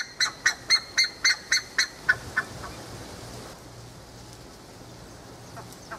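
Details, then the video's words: Buff-necked ibis of pastures in Tupi Paulista, São Paulo, ending a call series: about nine strong metallic honks in two seconds, then fading, followed by quiet background hum with a few distant notes. "O canto da curicaca, Theristicus caudatus, Ave de pastagens"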